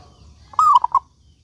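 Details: One song phrase from a local zebra dove that sings often, used as a lure so other doves will sing: a clear falling coo followed by two short clipped notes.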